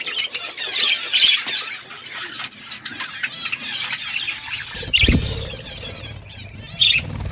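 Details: Budgerigars in the morning, a dense chatter of fast high chirps and warbles with scattered thumps and a brief low rumble near the end.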